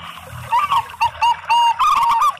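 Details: Local and Bangkok-style zebra doves as a song lure: a soft trill, then separate clear coos that lengthen, ending in a fast rippling trill.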